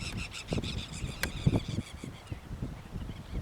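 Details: At the Rio Gallegos estuary, Santa Cruz, Argentina, 28 October 2021, dolphin gulls give a rapid series of harsh nasal calls early on, fading later, amid gusty wind buffeting.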